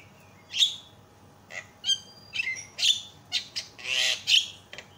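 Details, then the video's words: Javan myna (jalak kebo) loud provoking calls: separate sharp whistles and harsh squawks spaced about half a second apart, ending with a longer raspy burst. "PANCINGAN SEMUA JENIS JALAK PASTI TERIAK"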